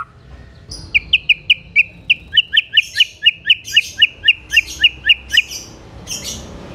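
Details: Shama, white-rumped, singing to make other shamas answer and rage: a long rhythmic series of bright, sharp whistled notes, about three per second, some doubled, ending in a scratchy high burst.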